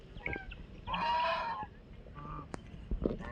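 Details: A pet white call duck gives one loud, drawn-out, nasal quack lasting about half a second, with a few shorter notes around it, as people talk in the background.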